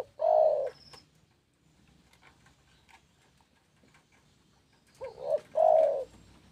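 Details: Spotted dove, known as tekukur, giving low, soft coos. One purring coo opens the clip, then a long pause with faint background noise, then a short note leads into another throaty coo near the end.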